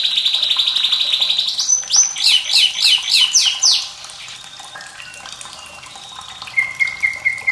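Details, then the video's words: White-rumped shama singing for young and lazy birds, trickling water behind: a buzzy high trill, loud zigzag phrases, then quieter varied whistles ending in a repeated clear note. "MURAI BATU SUARA PEDAS Plus gemericik air perangsang bunyi UNTUK TROTOL,BURUNG BAHAN & MALAS BUNYI"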